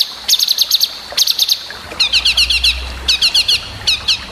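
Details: Long-tailed shrike master song for training other birds, full of sharp variations: loud high chirped notes in quick bursts of four to six, then rapid rattling runs, with a faint low hum beneath.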